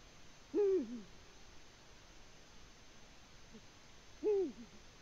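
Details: Eurasian eagle-owl at its nest in Latvia on 14 February 2020: two deep, arched hoots, each rising then dropping with a brief low tail, spaced nearly four seconds apart over faint steady hiss.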